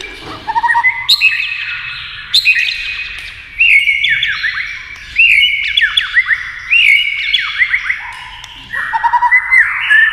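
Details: White-rumped shama singing in competition against a TV, flicking its tail, with loud varied whistled phrases, slurred notes and quick chattering bursts repeated every second or two.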